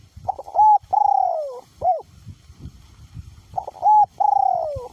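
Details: Loud, clear cooing from a caged spotted dove decoy in strong wind: two phrases of short opening notes and an extended slurred descending coo, with only light wind noise beneath.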